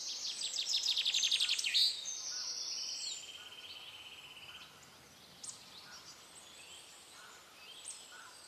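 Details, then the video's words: Common terns at a breeding colony on rafts built by the town in Dachau, Germany, where they have nested for several years and raise young regularly; a rapid series of high, harsh calls in the first two seconds, then fainter scattered calls amid background noise. "Flussseeschwalbe (Sterna hirundo) in Dachau"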